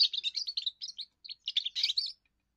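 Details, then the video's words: First song of a young goldfinch, used to claim territory and impress females: a fast, continuous stream of twittering, liquid chirps with a brief gap midway and a buzzier flourish near the end. "first song of a young goldfinch amazing wonderful singing"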